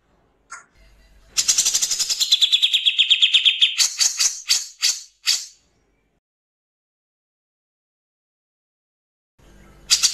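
Grey-cheeked bulbul gives a harsh, rapid rattling burst with a brief steady whistle, then four or five sharp downward strokes, and falls silent.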